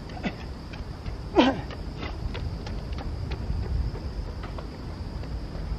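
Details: An azure-winged magpie by the Tama River gives one loud, harsh, nasal call after a faint earlier note, over a low rumble like distant traffic and a steady high hiss.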